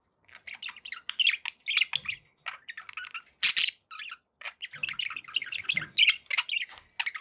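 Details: Pet budgies indoors producing rapid chirping and squawky warbling, short high notes tumbling over one another with sharper louder squawks at intervals.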